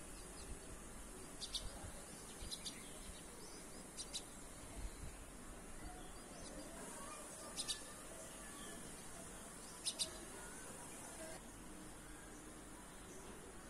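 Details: Hungry red-vented bulbul chicks begging as a parent feeds them in a home garden; short, high, sharp chirps come in quick pairs and small bursts every few seconds over a steady background hiss.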